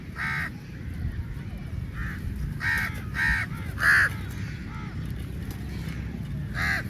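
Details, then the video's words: Crows in large numbers competing for meat, uttering rough, down-curving caws roughly every half second to second, some louder and closer, above steady low background noise. "Crow Birds Fight For Meat | Large Number Of Crows Naturally Awaz"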